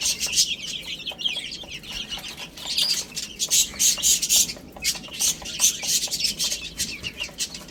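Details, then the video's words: A group of young chicks eating spinach, shrill cheeping in rapid pulses, roughly three or four per second, interspersed with pecking clicks. "Adorable Little Chicks Chirping Sounds"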